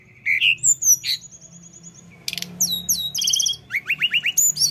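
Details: Rolling 'ngeroll' song of a lesser shortwing, the mountain tledekan: a rising whistled slur, a long high stuttering trill, then quick buzzy chatters and a run of falling whistled notes.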